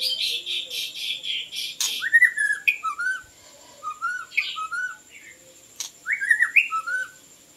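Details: White-rumped shama (Copsychus malabaricus) song used for luring birds: a harsh rapid rattle first, then a chain of clear low whistles and slurred notes in separate phrases, with a faint steady high tone.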